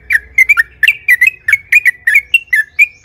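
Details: Yellow-vented bulbul singing energetically as a lure for other bulbuls. It gives a broken sequence of short, varied, slurred notes, some doubled, spaced irregularly over about three seconds.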